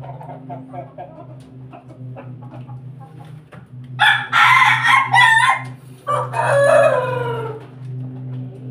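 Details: Pelung and Bangkok crossbred rooster crowing: after a few faint clucks, a loud, harsh, two-part crow, a long first phrase followed by a shorter, falling second one, over a steady low hum.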